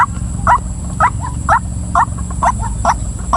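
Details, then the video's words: Female white-breasted waterhen calling: short, croaking mid-pitched notes repeated about every half second, seven in quick succession, over a steady low rumble and a faint constant high whine. "suara ruak ruak betina"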